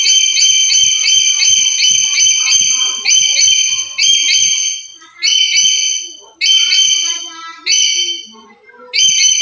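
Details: Black-capped lory, a bird kept and calling daily, used as a master song to lure and stimulate other lories: loud, shrill whistled notes with strong stacked overtones, repeated in rapid bursts, pauses between phrases, faint low knocks beneath.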